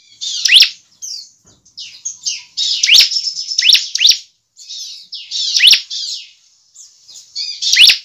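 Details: Song of a bar-winged prinia used as a lure for other birds to sing, mixing buzzy high trills and strong sharp descending notes in bursts roughly each second, separated by brief pauses.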